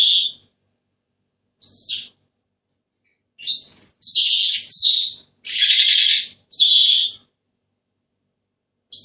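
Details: Senegal parrot giving harsh, high squawks: two short isolated cries, a pause, then a run of longer grating, buzzy screeches close together, with one more squawk at the end. Silence between calls.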